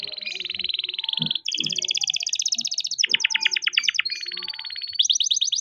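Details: Young farm-bred canary in rolling song, used to coax reluctant canaries to sing: sustained fast high trills changing pace several times, with faint low knocks in the background.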